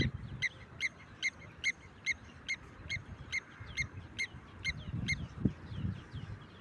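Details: Blacksmith lapwing calling during a walk: sharp metallic clinking notes repeated about every half second, steady and evenly spaced, over low rumbling background noise.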